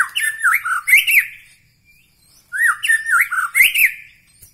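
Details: White-rumped shama from Bahorok, Medan, giving two matching phrases of swooping, rising and falling whistles with harsh upper tones, separated by a pause of about a second.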